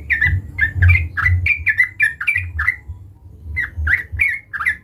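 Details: Sooty-headed bulbul in full voice, calling out to a rival: a steady run of short, bright downslurred notes repeated several times a second, a brief gap, then the series resumes, over a low hum.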